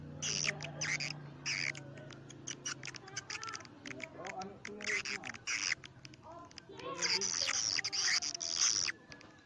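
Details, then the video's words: Swiftlet call for swiftlet houses: quick bursts of clicking chirps and rasping twitters, with a long, loud buzzy chatter toward the end. "sp walet karindanga. liris terbaru. gondes suara walet"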